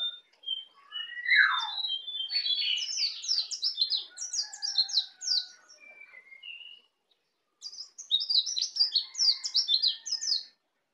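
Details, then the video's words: Young white-eye from Bali, newly learning the ngeplong song style, delivering rapid high chirps and twittering phrases with a lower down-slurred note early on, a brief pause, then another bright run of quick high notes. "Pleci Bali baru Belajar ngeplong"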